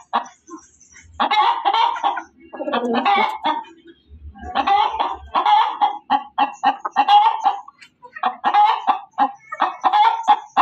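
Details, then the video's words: Hen chicken cackling loudly: harsh, broken clucking bursts in quick runs, each phrase several seconds long with short pauses between, strong and clear throughout. "SUARA AYAM BERKOKOK KERAS || suara ayam berkokok betina"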